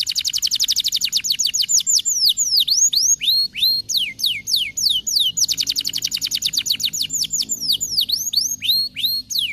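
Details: Singing canary, played to spur lazy canaries to sing: bursts of rapid, high trills alternate with runs of downslurred and V-shaped notes, the whole pattern repeating twice without pause.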